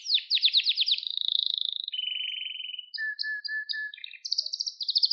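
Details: Canary singing for young birds to learn from: quick high trills give way to a steady buzzing roll, then short clipped whistles alternating high and low, ending in rapid bright trilling.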